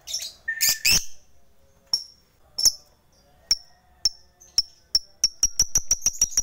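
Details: Fighter lovebird calling a rival to spur others into song: a few loud squawks open, then thin high chirps that speed up into a fast run at the end.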